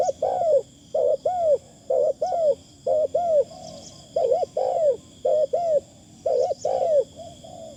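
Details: Spotted Dove used as a decoy, its delivery light and thin: rounded hooting coos in pairs, some with a short drawn-out note between, repeating steadily over a constant high-pitched electrical-like hum.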